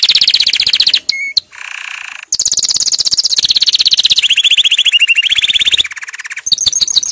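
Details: Powerful canary training song of long, rapid trills changing pitch, interrupted by a brief whistle and a harsh buzz, then more fast rolling trills.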